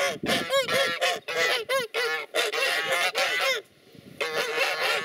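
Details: Watchful geese sounding off aggressively at potential enemies: raucous nasal honks in quick series, about four per second, then a brief lull before the noisy chorus resumes.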